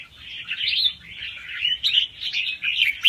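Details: Young wild red-whiskered bulbul singing fast, with doubled notes, a song played to excite other birds: busy chattering warble of bright slurred notes, rising and falling in quick bursts, with a short louder phrase near the end.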